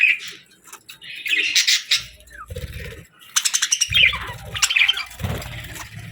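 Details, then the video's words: Pet budgies, happy and eating, give bright chirps and a chattering warble, with low thudding knocks and rustles in between. "Happy Budgie Sounds | Budgies Chirping & Eating Sounds"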